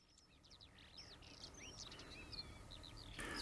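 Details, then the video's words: Eurasian skylark song, fast and continuous, a chattering stream of twittered notes and rising and falling slurred whistles, with a low rumble of traffic noise beneath and a burst of broad noise at the end. "THE CHEERFUL SKYLARKS"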